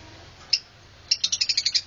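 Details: Lovebirds calling: one sharp high chirp, then a rapid series of about eight shrill, piercing chirps repeated several times a second, over a quiet low hum.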